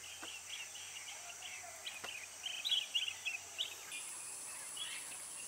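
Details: Chestnut-headed bee-eater calling: soft, short trilled chirps repeated rapidly, louder in a cluster mid-way, over a steady high insect-like hiss and faint low hum.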